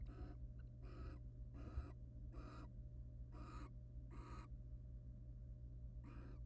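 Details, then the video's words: Male and female wild barn owls court and mate in a research nest box after the male preens her; six breathy, hissing screeches in a quick series, a pause, then one more, against a low mechanical hum. "Barn Owl pair courting: Male barn owl preens and then mates with the female."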